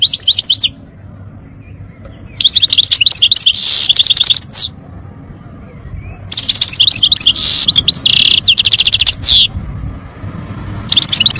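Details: Goldfinch song in long, dense phrases of quick liquid chirps and buzzing notes, each burst lasting about two to three seconds, separated by pauses of a second or more.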